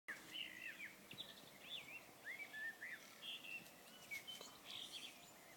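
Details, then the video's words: Tui singing during an evening walk in an area with many tui; a run of short whistled notes and slurred glides, some rising and some falling, sung in quick bursts over steady background hiss. "Tui bird singing"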